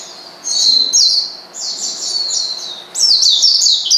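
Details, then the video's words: Provoking a rival, an Oriental white-eye gives three bursts of shrill, thin twittering, each a rapid cluster of downward-sliding high notes separated by short, softer gaps. "pleci manggil lawan bikin lawan emosi dan edan"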